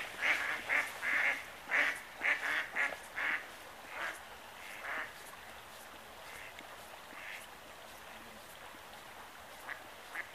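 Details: Hooded merganser calling while swimming in excitement; a quick series of short, hoarse, croaking notes about twice a second, loudest at the start and fading into scattered softer calls later.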